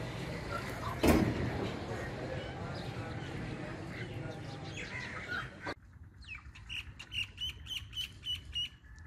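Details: Rufous treepie singing loudly in the jungle: after several seconds of rumbling background noise, a rapid series of short, sharp, metallic chirps follows, repeated about three times per second.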